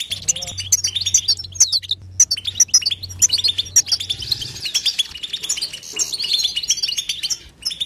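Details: European goldfinch in unbroken batbata twitter: fast metallic tinkling notes and short buzzy runs pour out with scarcely a break, over a steady low hum in the first half.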